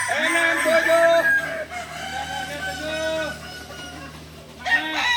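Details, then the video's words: Balenggek rooster crowing contest at Ampang Kualo, Solok city: drawn-out crows with many stepped syllables sliding up and down, several birds overlapping, a low steady hum underneath, and a man counting aloud. "Latberan ayam kukuak balenggek"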